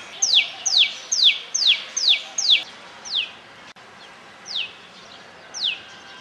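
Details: Common tailorbird (Orthotomus sutorius) in Rajasthan giving sharp, high downslurred notes, about seven in quick succession, then a few more spaced out, over a soft hiss.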